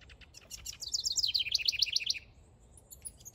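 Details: Male house wren singing in a backyard while building a nest: a fast, bubbly run of high chirped notes that tumbles downward in pitch and then repeats in a rapid rattling series for about a second and a half.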